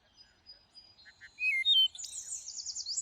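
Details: Thrush song: a couple of short notes, then two loud clear whistles, one falling and one level, followed by a high rapid buzzy trill that wavers up and down.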